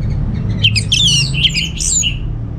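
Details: Orange-headed thrush from Singaraja, North Bali, kept as a songbird. Dense, scratchy jumble of mixed notes over a low steady rumble that masks it somewhat.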